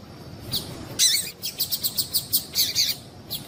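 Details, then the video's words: Female double-collared seedeater calls meant to excite a male into song: a high sharp note, then a rapid run of about ten bright chirps spaced evenly, each high-pitched, with quiet hiss behind. "Piado de Fêmea de Coleiro para Esquentar Coleiro"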